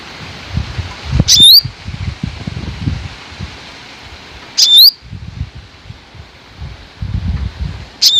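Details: Black sunbird uttering single sharp, high, rising calls, three of them spaced about three and a half seconds apart, against a background of low rustling.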